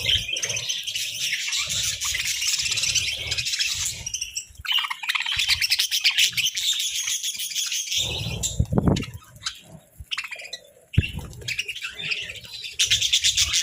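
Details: Sunbathing budgerigars chatter in scratchy warbles and quick tweets that fade and return, with several brief pauses and a loud low rustle partway through.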